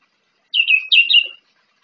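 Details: Orange-headed thrush in the morning giving two short warbled phrases of high, slurred whistles in quick succession, then falling silent, with a quiet background.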